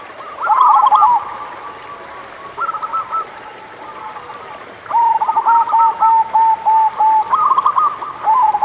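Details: Local zebra dove song, played to stimulate lazy doves into calling: soft rolling coos with quick stuttering notes. Later comes a long run of evenly spaced, bubbling notes, and the phrases overlap at times.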